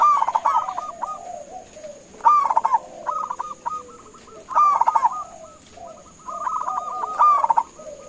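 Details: Calling local zebra dove used to make other doves respond; loud gurgling coo bursts roughly every two to three seconds, interleaved with softer, lower rippling coos from another bird.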